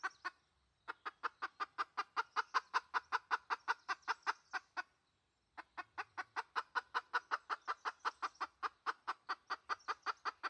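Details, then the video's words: Red junglefowl hen in a 2020 lure recording for wild junglefowl, giving long runs of rapid, regular, nasal clucks, roughly three per second, with one short pause between two steady bursts. "Suab dib qaib qus poj tsauj. เสียงต่อไก่ป่า"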